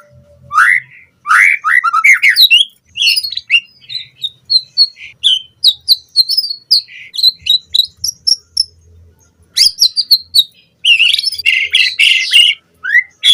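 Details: Murai batu, or white-rumped shama, singing a lure recording for captive birds: fast rising whistles, then a long run of short high chips, then dense twittering bursts, with faint low hum.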